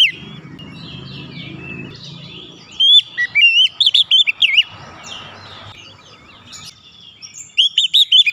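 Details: Oriental magpie-robin song meant to restart a stalled, stressed bird: a soft, rambling warble, then a run of quick, loud whistled notes and twisting trills, with a low hum behind.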